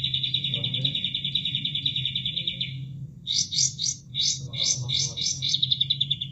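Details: Training recording of a bulbul: a fast, continuous high trill that breaks into clipped, buzzy bursts in uneven groups, with flowing water murmuring low beneath.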